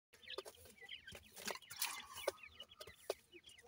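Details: Seven-day-old grey francolin chicks while feeding give thin, high, downslurred peeps in quick irregular bursts. Sharp clicks and taps are mixed through the calls.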